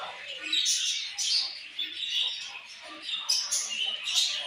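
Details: Budgies calling in a group, bright high chirps and short whistled notes bursting out every half second or so over constant warbling chatter.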